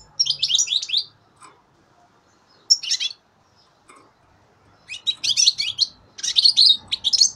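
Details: Young goldfinch, three months old, recorded 2015: scattered short bursts of high twittering song, a phrase at the start, a brief one near three seconds, then denser chattering toward the end after a quiet stretch.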